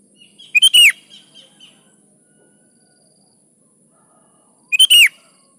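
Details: Kutilang, the sooty-headed bulbul, in lively song meant to draw replies from other birds: a loud, liquid phrase of two or three rich notes, a few soft chirps, a long pause, then a second similar phrase.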